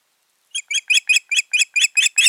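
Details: Osprey pair at their nest on 14 June 2019, in a season when nesting failed: a quick run of eight shrill, whistled notes that grow louder, evenly spaced about six per second, with no other sounds.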